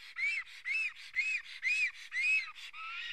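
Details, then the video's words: Nesting Black stork, Karula, Estonia, seen on a live camera on 19 May 2017 at 11:10, upset by a nearby intruder: five rising-falling whistled notes with buzzy overtones, about two per second, ending in a flatter drawn-out note. "Karula Black Stork~A Intruder is near the nest~"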